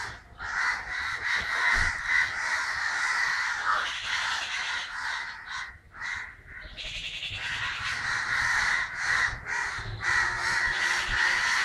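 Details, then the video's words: Noisy gathering of crows in Kerala on 9 December 2012: rapid, grating caws pile over each other at more than two per second, with a short quieter gap around the sixth second. "Crows making horrible sounds"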